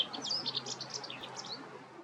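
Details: White wagtail giving a quick run of sharp, high chirps, several notes crowded close together and then tailing off, over low background noise.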